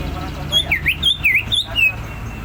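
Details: Greater green leafbird giving ngentrok song, a tight sequence of about six clear whistled notes, some swooping down then up, some level, in quick succession over low background noise.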